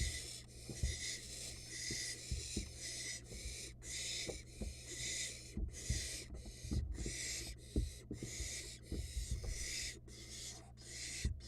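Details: Barn owl nestling on a Florida nest-box camera swallowing a rat very fast, giving harsh, broadband hisses about half a second long, repeated roughly every second, with low thumps, shuffling and a steady low hum underneath.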